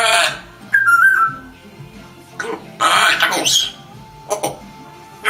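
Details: A pet African grey parrot talks, mixing short whistles with bursts of speech-like chatter and mimicked sounds, with pauses between phrases.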